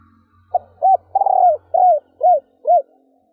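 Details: A female spotted dove gives a soft, hollow, stuttering run of six arched coos, one drawn out and slightly falling, about two per second, against a quiet background; a female call used to stimulate other doves to call.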